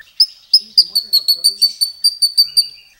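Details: White-rumped shama repeating a sharp high chip note about six times per second for three seconds, evenly spaced and bright, with a lower whistle near the end.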